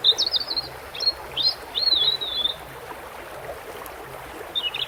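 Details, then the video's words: European robin singing over a steady rush of flowing water: thin, high, wavering whistled phrases, a quick trill and a longer warbled note, separated by short pauses, with a final thin fragment near the end. "bird red throat"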